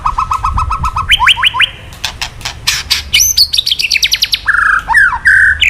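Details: Caged male white-rumped shama, provoked by recorded calls, delivers varied rapid song: repeated flat whistled notes, upward-sweeping whistles, a fast ticking trill and loud slurred phrases, with sharp clicks between.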